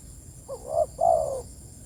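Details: One spotted dove phrase used to call its companions: a quick upward coo and then a drawn-out, lower, descending croo, with only a faint steady hum in the background.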